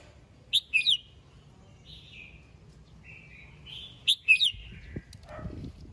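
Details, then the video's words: Morning song of a red-whiskered bulbul calling its flock: two bursts of sharp twangy chirps separated by soft, slurred whistles, ending with a faint low knock. "Chào mào hót sáng, yếu lửa gọi đàn, kích bổi ra bọng"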